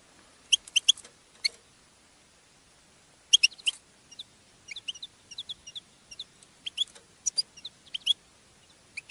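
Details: Female European goldfinch batbata for prompting male song and mating: short clusters of thin, high chirps and ticks separated by quiet pauses, in a clean, silent background.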